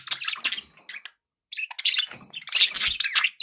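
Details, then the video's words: Pet budgerigars in a relaxation recording with background noise: dense, continuous scratchy warbling chatter with harsh buzzy notes, broken by a short silent pause, then resuming louder. "1 hour of budgie sounds with background noise for relaxation"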